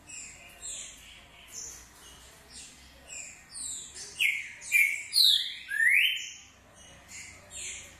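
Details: Green-winged saltator, called true trinca-ferro, giving its short song: bright whistled notes, then a louder middle run of slurred, sweeping phrases that rise and fall, before softer notes return at the end. Faint background hiss.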